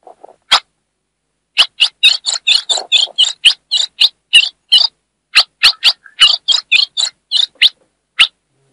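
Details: Calling female ultramarine grosbeak from the Brazilian Northeast, heard to stimulate a male: after a faint low note and one chip, a dense run of about twenty rapid, high, slightly buzzy chips with no background noise.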